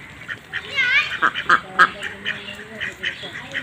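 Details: Farm ducks kept on a pond quack in a quick series of short, nasal notes, three strong ones in close succession, while people talk nearby.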